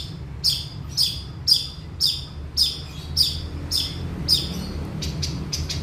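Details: Long-tailed shrike in full, lively song: sharp high chips repeated roughly twice a second in an even series, then a few softer, fainter notes, over a constant low background hum.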